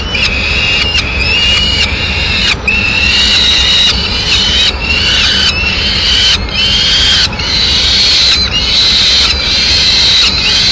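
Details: Peregrine falcon at its nest in Madrid on 6 May 2016 as the female brings in a pigeon; harsh, drawn-out wailing calls repeat roughly every second, partly rising and falling, over a constant low city rumble.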